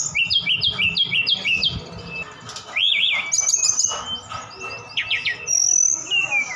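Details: Javan bush lark from Sukabumi in lively song full of mimicry of birds such as cililin and sikatan londo: a quick series of five looping chirps, then arched notes and mixed high whistles, over a low background rumble.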